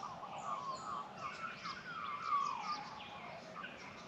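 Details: Australian magpies carolling in morning sunshine in the Australian bush, welcoming the day; layered mellow warbles and sliding whistles, continuous and overlapping, with scattered faint higher notes.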